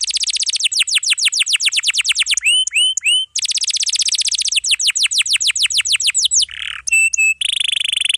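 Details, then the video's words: Atlantic canary in dense song with long rolls, used as a tutor for young canaries and ones that stopped singing: fast down-slurred rolls broken by three-note twisting phrases, a brief buzz and flat whistles. "KENARI GACOR ROLL PANJANG"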